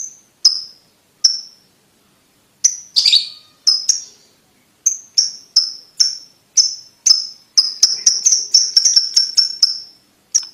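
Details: Ticking lovebird, the call used to train young birds to trill quickly: sharp, high clicking notes, sparse and irregular at first, then closer together into a rapid, steady series before a final single tick.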